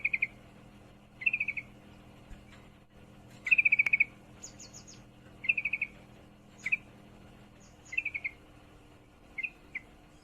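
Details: Sooty-headed bulbul, a female in heat calling a male: short bursts of four to six rapid, bright, evenly spaced notes, repeated every second or two, with a few higher thin notes between bursts.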